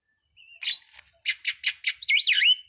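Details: Starling opening with a soft whistled note, then a burst of harsh rhythmic chatters and ending in looping, swooping whistles.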